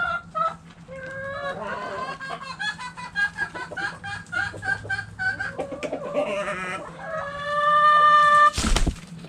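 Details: Hens and roosters in a backyard chicken coop, several birds clucking in quick repeated bursts with longer tonal calls rising above, and one sharp loud knock near the end.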